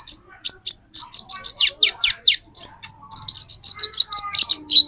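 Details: High, rapid chirping from an olive-backed sunbird: short sharp notes with a few quick downslurred ticks, delivered almost continuously in a busy, energetic string.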